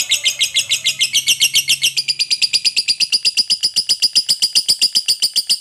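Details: Lovebird kept as a fighter bird, singing a long trill meant to provoke rival birds: rapid high chattering notes repeated steadily at about four per second throughout, a faint low hum early on.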